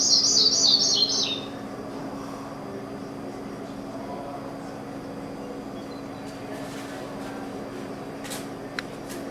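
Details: A Sprague's Pipit of native grassland prairie, Grasslands National Park, Saskatchewan, gives a quick, high, descending cascade of thin jingling notes lasting just over a second, followed by a low steady indoor hum.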